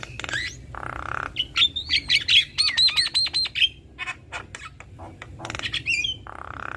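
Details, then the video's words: Male and female black-winged starlings singing vigorously in a duet: harsh rasping bursts alternate with bright whistled notes, then a quick run of chattering, ringing notes in the middle, followed by more scratchy squawks and a final rising whistle. "Jalak Kebo Jantan Dan Jalak Kebo Betina GAcor Duet Kicauan Jalak Kebo"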